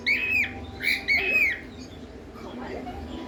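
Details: A pet cockatiel, making sound for the first time and seemingly confused, gives three bright, arching chirps, each rising then falling, in quick succession.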